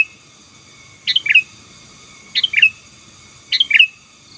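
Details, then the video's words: Song of a 'gacor' Sooty-headed bulbul, meant to overpower rival birds: three lively chirping phrases, each a rapid rising then dropping pair of notes, repeated roughly every 1.2 seconds over a faint steady hum. "Suara Burung KUTILANG GACOR || Ampuh Menekan Lawan"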